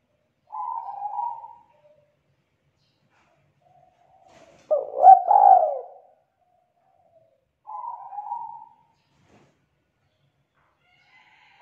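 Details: Spotted dove, a young wild-caught bird in the 'kuk 2' song style, singing actively with a thick, loud, melodious voice: three hoarse cooing phrases, the middle one richest and loudest, separated by pauses of about two seconds, in quiet surroundings.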